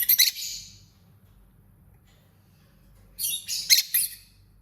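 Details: Lovebird chirping and singing: two bursts of harsh, squeaky, high chatter, one at the start and a denser run of rapid chirps after a quiet gap of about two and a half seconds, in a quiet indoor setting.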